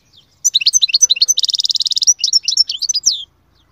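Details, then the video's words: Lively goldfinch song: twittering chips lead into a rapid, even, buzzy trill lasting nearly a second, then break into varied, jumpy, high notes ending in a downward slur. "أقوى تغريد مقنين يجعل المقنين الساكت يسير"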